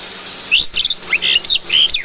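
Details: Asian pied starling kept at home, learning sounds: a run of short whistled notes, some sliding upward, others flat and bright, delivered in quick bursts over a faint background hiss.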